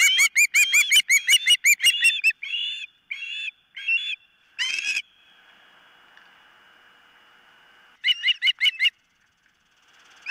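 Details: Osprey calling at its nest, nest camera, 4 September 2023 about 09:56: a fast excited series of sharp chirps, slower whistled notes, several seconds of quiet, then another rapid burst of chirps.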